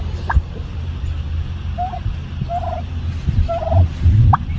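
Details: Domestic turkey hen at home making her little bubble popping sounds: quick trilled bursts of mid-pitched notes and a couple of sharp upward clicks, several within a few seconds, with low thumping and rumbling noise underneath.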